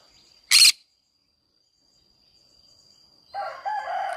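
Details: Green-cheeked conure singing amid a flower garden: one sharp, harsh screech, quiet for almost three seconds, then a lower, buzzy, harmonic call with a slight upward step. A steady high-pitched hum stays in the background.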